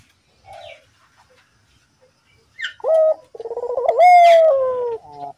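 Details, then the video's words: Collared dove call used as a lure to get other doves calling: after a faint early note, a drawn-out tonal coo leads into a rapid pulsed trill and a long, slowly falling mellow note. "suara burung puter gacor, sangat ampuh buat pancingan puter agar bunyi"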